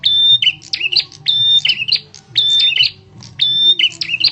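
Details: Lure call of a bar-winged prinia, harsh and strong, meant to make other birds react: four repeated phrases of a sustained high whistle and lower chattering notes, roughly every second.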